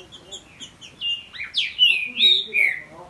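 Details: Captive Green-winged Saltator male and young son singing against each other; soft repeated chips build into loud, clear descending whistled slurs.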